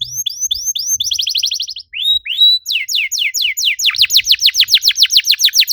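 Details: Canary stimulus song to get other canaries singing: several tours in turn, first rising whistles, then a rapid rattling trill, two long upslurs, and finally a loud, rhythmic run of sweeping notes.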